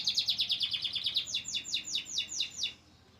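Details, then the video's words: Singing white crested canary: a quick run of sharp repeated notes speeding along, then slower, louder falling sweeps before the song stops abruptly. "white crusted canary nice singing"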